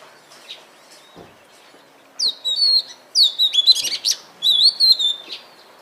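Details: Oriental magpie-robin singing: after quiet clicks, bright whistled phrases begin, high sweeping notes mixed with sharp chips in three bursts over about three seconds.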